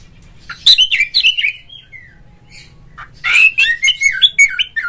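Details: Oriental magpie-robin lure song intended to rouse a kept bird into fighting song: a run of twisting whistled notes trailing off, about two seconds of quiet, then a dense rapid stream of varied sweet whistles.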